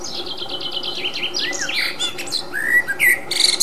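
A common blackbird sings a quick run of high, thin twittering notes, then a few lower fluted whistles and slurs, over a steady background hiss.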